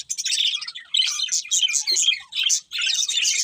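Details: Budgerigars singing happily while eating, a busy chattering warble of rapid high chirps and buzzy notes in bursts, with brief pauses between phrases.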